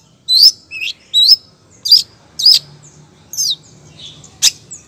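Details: Female long-tailed shrike calling the male, giving loud squeaky chirps that rise, then drop sharply, spaced about half a second apart, with a final harsh note.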